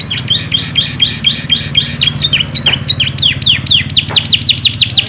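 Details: Yellow canary singing as a tutor for young canaries: a loud, fast run of high, downward-sweeping whistled notes repeated about twice a second, shifting to steeper, sharper sweeps, over a low steady hum.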